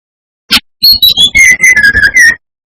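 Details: Provoking lure song from a brown-chested jungle flycatcher: a sharp click, then high whistles stepping down into a string of fluty mid-pitched notes, about two seconds long.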